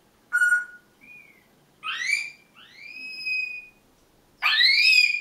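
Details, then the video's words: A Grey parrot yells at someone walking past the end of the garden, giving four loud, grating calls over five seconds: a flat whistle, a soft rising note, then harsh upswept shrieks; an unpleasant alarm call. "African Grey parrot alarm call.....a most unpleasant sound!"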